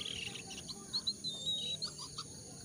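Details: Jongkangan calls used as a lure to get wild-caught birds calling quickly: short high thin chirps and brief whistled notes, scattered irregularly over a steady high hiss and low rumble.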